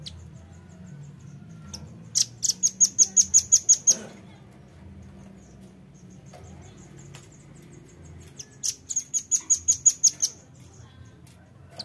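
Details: Velvet-fronted nuthatch calls played as a bird lure: two bursts of rapid, sharp, very high chipping notes, about eight each, roughly six seconds apart, over a faint low background hum.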